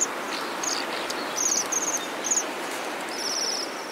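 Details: Bohemian waxwings in Bratislava, 2012 invasion year: clusters of high, thin trilled notes, some overlapping, with a longer trill near the end, over heavy background traffic rumble.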